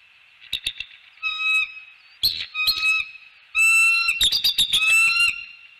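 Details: Bald eagles at a nest in Northeast Florida, a male surprising his female partner while mating; high, thin whistled notes with ringing overtones alternate with sharp clicking chatter and brief bursts of noise.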